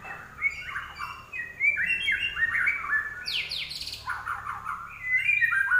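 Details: Energetic song of a common iora (larwo), made of warbled whistles in fast, uneven phrases. A burst of high, sharp notes comes midway. Soft background hum throughout.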